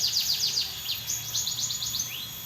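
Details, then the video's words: Wild plain prinia in a rice field, calling in response to a played call. Rapid series of high, thin, downward-slurred notes run into a quick buzzy trill, with faint background hiss. "burung ciwah ciblek sawah respon suara liaran wiceh"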